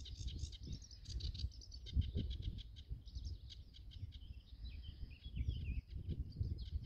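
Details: At Goxhill Marsh in Lincolnshire, UK, a singing male Sedge Warbler, phonescoped, delivers a long, unbroken stream of scratchy chatter, churring buzzes and quick twittering phrases over a low, gusty wind roar.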